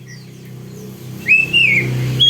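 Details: Oriental magpie-robin from an Indonesian recording made to train caged birds to sing: a clear whistle that rises, wavers and falls, followed by a brief higher note, over a steady low rumble.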